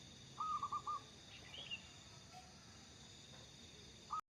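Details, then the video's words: Mellow trilled cooing from a local zebra dove kept as a lure bird: one rippling phrase, a long pause, then the start of another, with faint chirps and a steady hiss behind. "burung perkutut lokal gacor cocok buat pancingan"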